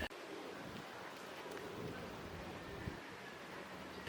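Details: Steady rushing wind and surf-like noise buffeting the microphone, with no animal voice anywhere in the recording.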